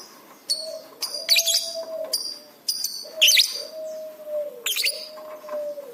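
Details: Lovebird on a masteran recording made to train pet birds: sharp, high chirps in short bursts, spaced about a second apart, over a steady low whistled tone that rises and falls.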